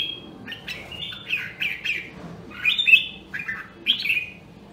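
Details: Red-whiskered bulbul with a Nam Đông, Huế voice, singing as training for competition song. Softer, fairly distant-sounding chain of high whistled notes and slurs, rising to a few louder warbled phrases, over a gentle low hum.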